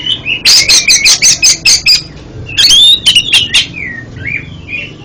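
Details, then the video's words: Oriental magpie-robin (kacer) song for therapy of a stuttering bird: opens with a fast run of about nine harsh repeated notes, then a scratchy burst and softer rising and falling whistles. "MANTAB BUAT TERAPI KACER ANDA YANG GAGAP BUNYI JADI JOSS KICAUANNYA"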